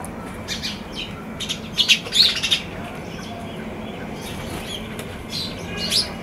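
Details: Sparrows on a balcony give short, bright chirps in scattered bursts, clustering in the middle of the clip, over a steady low background hum.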